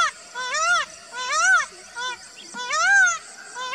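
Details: Repeated loud cries of an Indian peafowl, each a strong rising-then-falling nasal wail rich in harmonics, about one per second, with short quieter notes between them and a soft rural background.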